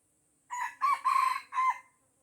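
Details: Crow of an Aceh red junglefowl hemmed in by young birds it will not fight: four strident syllables across about one and a half seconds, the third the longest and the last ending abruptly, with near silence around them.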